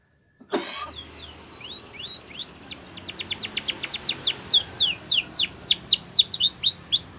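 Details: Spanish Timbrado canary song for training young canaries: after a sharp click, scattered whistles build into a rapid, rhythmic run of steep descending notes, steadily repeated and growing louder.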